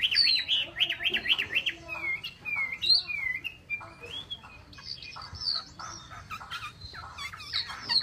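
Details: Chinese hwamei opening with a rapid, zigzagging warbled trill, then moving through varied whistles, slurs and high, scratchy phrases.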